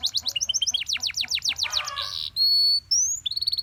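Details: Belgian canary in morning song, delivering quick chipping notes that build into a cascade of falling sweeps, a brief buzz, then long pure whistled tones, one rising sharply.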